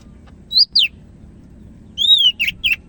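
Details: Medan-type greater green leafbird in lively, vigorous song: two quick slurred whistles around one second apart, a pause, then a long clear whistle arching down, followed by two short burry chirps.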